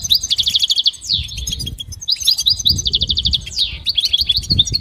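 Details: Goldfinch training song: fast rattling trills alternate with sweeping downslurred notes and tinkling chirps, delivered in quick succession.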